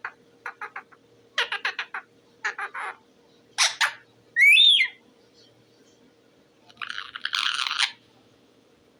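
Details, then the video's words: Talking parrot, possibly an Indian ringneck, mixes clicky chattering bursts with one loud, clear rising-falling whistle, then a raspy noisy phrase, indoors. "talking parrot bird"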